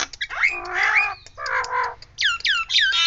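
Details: Nias hill myna doing siren-like calls: two loud, harsh, drawn-out squawks with layered tones, followed by three quick whistles that swoop steeply downward.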